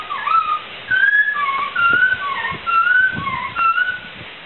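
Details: Laughingthrush song used as a training recording for songbirds: mellow whistled notes repeated roughly once a second, alternating slightly higher and lower, each a short level or gently falling phrase.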